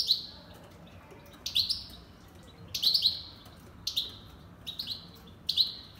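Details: Finch giving bright, high chirps that slide downward, each call followed by a soft trailing twitter. The calls come roughly once a second over quiet, near-silent surroundings.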